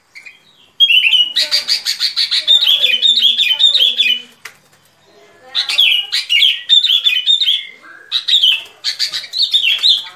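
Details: Sooty-headed bulbul singing in a lure recording for trapping. Two long runs of quick, bubbly whistled notes, each slurring downward, with sharp clicking sounds throughout.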